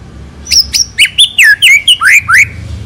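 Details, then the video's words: Select White-rumped shama in strong, continuous song, used as a lure bird: a rich run of loud whistled notes, several sliding down or rising, delivered in quick separate bursts with faint low background hum. "MURAI BATU PILIHAN GACOR TERUS FULL ISIAN MEWAH FULL TEMBAKAN DURASI, SANGAT COCOK UNTUK PANCINGAN."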